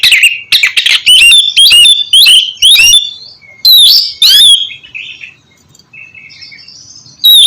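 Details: Oriental magpie-robin song used as a prompt for a bird that is slow to sing: rapid loud whistled phrases with sharp bursts, about two per second, fading into soft thin notes before a final loud burst.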